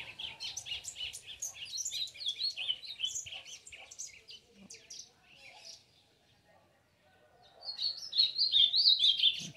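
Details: An excited ultramarine grosbeak sings quick clusters of sharp high chirps and warbled phrases, pausing into near silence, then resuming with a louder rapid warbling run at the end, with faint background talk.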